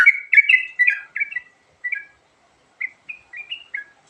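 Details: Yellow-vented bulbul giving a varied 'isian' song used to lure birds: a rapid run of bubbly, slurred chirps, then a pause and a few shorter rising and falling notes.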